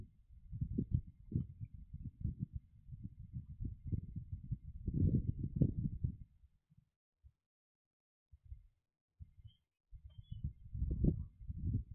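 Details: Only low, muffled rumbling and thumping is heard, with brief quiet gaps and no animal call.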